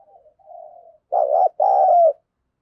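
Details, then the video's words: Provoking decoy spotted dove, voice harsh and in thổ sấm style: a quiet drawn-out low murmur leads into a loud hoarse double coo, the second part longer and sinking at the end. "Chim Cu Mồi Kích bổi giọng gắt gỏng như chửi bổi vậy, bổi nào nghe cũng ghét"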